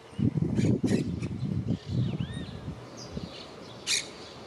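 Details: Pet monk parakeet talking indoors in a house chatters in low, speech-like mumbles, broken by a few sharp squawks and short rising whistles.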